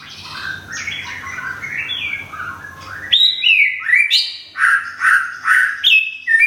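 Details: Thung Song white-rumped shama, caged in Thailand and nearly through its moult, sings a soft tumbling warble followed by loud, ringing whistled phrases repeated roughly every half second.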